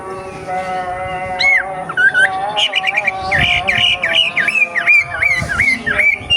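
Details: Young wild racket-tailed treepie delivering a series of swooping whistles, each dipping then rising, repeated about twice a second, over a steady harmonic drone.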